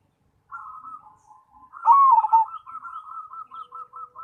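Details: Zebra dove of the cemani type: soft rolling coos lead into a strong dipping coo phrase, followed by a run of evenly spaced, quick purring coo notes.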